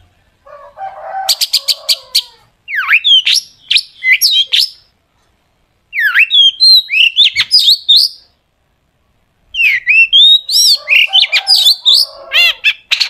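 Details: Long-tailed shrike song used as a lure to make other shrikes sing, in a sharp, full-filled style: four loud bursts of fast, varied, sharp whistles, chirps and harsh notes, separated by short silences.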